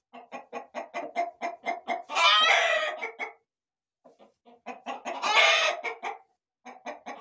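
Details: Chickens, both roosters and hens, in a corral, with a quick series of evenly spaced clucks interrupted twice by loud, rasping rooster crows about three seconds apart, then a few more clucks.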